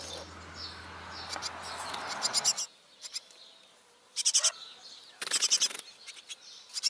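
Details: Great tits nesting in a trash bin, a pair raising ten chicks from hatching to fledging. Short bursts of rapid, high, scratchy chirps come in three groups, after a noisy rumbling start and quiet gaps.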